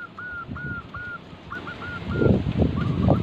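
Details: Local Indonesian zebra dove singing actively, used as a lure to make other doves sing: a quiet run of short hooked cooing notes at a steady pitch, over low rumbling background noise that grows louder toward the end.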